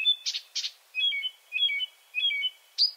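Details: Quick bursts of scratchy notes from a night-singing Marsh Warbler in Finland, followed by three repeated warbling two-tone phrases and a final bright whistle.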